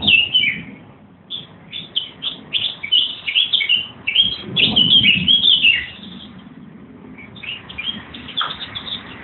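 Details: Wild birds in trees on railway land behind a Putney house at Easter 2014, singing in quick bursts of high chirps and trills with short pauses, busiest mid-recording, fading to sparse notes, with a soft low hum beneath.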